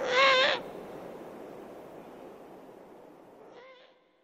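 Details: Eurasian eagle-owl (Bubo bubo) owlets begging for food, with the female's voice in the background: one loud, wavering, mid-pitched call, then a fainter echo three seconds later, over steady soft hiss.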